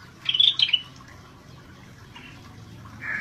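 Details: Scaly-breasted bulbul (Pycnonotus squamatus) in lively 'gacor' form: a short burst of bright, chattering whistled notes early on, then quiet, with a faint buzzy note at the end.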